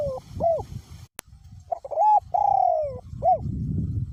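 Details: Strong wind rumbles around a caged decoy spotted dove whose voice is called small going to middle; it delivers one full coo phrase of brief notes, a drawn-out descending hoot and a sharp closing note.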